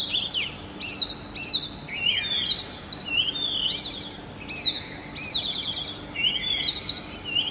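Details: Oriental magpie-robin in early morning giving a varied musical song of clear descending whistles and looping slurred notes, repeated in phrases about every half second to second, with steady background noise beneath.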